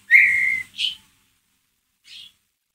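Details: White-rumped shama giving ngeriwik calls, used as a lure to stir another shama's emotion: a strong whistled note with a slight rise, then a short higher note and, after a pause, one faint high note.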